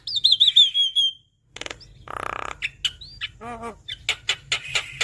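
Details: Javan myna song opening with a loud wavering high whistle, then after a pause a harsh rasp, a low stuttering growl and rapid sharp clicks and chips.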